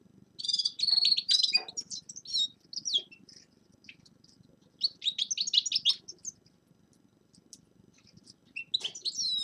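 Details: Forest birds singing in winter: bursts of quick high chirps and trills separated by quiet pauses of a second or more, over a light background hiss.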